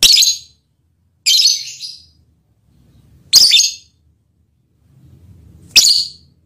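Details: Mating call of a lovebird directed at the male partner, four sharp, piercing squeaky chirps spaced about one to two seconds apart, with near silence between them.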